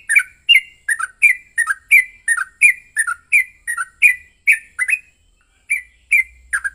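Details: Yellow-vented bulbul (trucukan) in an aggressive fighting song used as a lure to provoke another bird to sing: rapid run of short, sharp chirped notes, some sliding down, about 86 per minute with a brief gap near the end.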